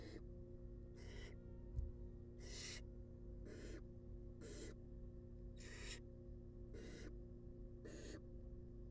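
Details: Wild barn owl chicks in a monitored nest box being fed: harsh, hissing broadband rasps repeated about once a second, eight bursts in all, over a steady low electrical hum.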